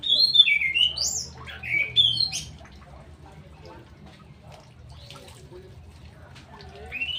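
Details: Straw-headed bulbul, a kept songbird, pouring out a quick run of loud, looping, slurred whistled notes for about two seconds, then near quiet, ending with one rising whistle.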